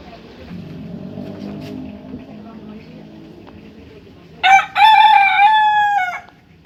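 A rooster gives one loud harmonic crow, a short first note then a long sustained drawn-out syllable over a low murmur of background noise.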